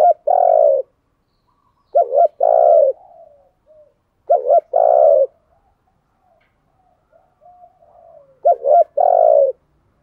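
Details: Spotted dove kept as a decoy, giving insistent cooing to provoke and lure wild doves: four low, mellow coo phrases, each a quick stuttered double note then a longer drawn-out coo, spaced about two to four seconds apart, with faint softer notes between.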